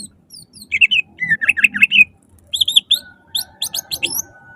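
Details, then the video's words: Greater green leafbird singing loudly as a lure to prompt other leafbirds into song: a run of warbled whistles followed by high clipped chirps, with a steady faint hum and low rumble behind. "Pancingan suara lantang cucak ijo gacor full nembak langsung cepat buka paruh"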